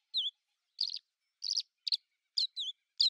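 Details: Song of a common house martin, heard as separate short twittering chirps and quick scratchy double notes spaced about half a second apart, high and dry, with nothing else audible.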